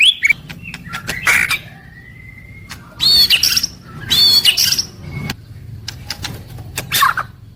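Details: Caged white-rumped shama daily song: scattered high chips, a long flat whistle and bursts of buzzy high notes separated by pauses, over a steady low hum.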